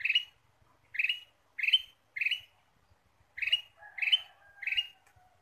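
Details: Lure recording of ruby-throated bulbul: loud, scratchy chirps in two groups, four then three, the later ones overlapping a soft descending whistle; very clean background.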